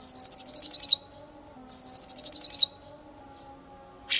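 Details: Two rapid buzzy high-pitched trills from an owned white-rumped shama, each about a second long, separated by a pause, over a constant low electrical hum.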